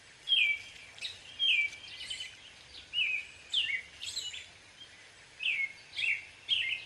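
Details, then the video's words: Wild American robin song: a run of short caroling whistled phrases, each dropping in pitch, given roughly every half second to second, with faint background hiss. "American robin bird call / song / sounds"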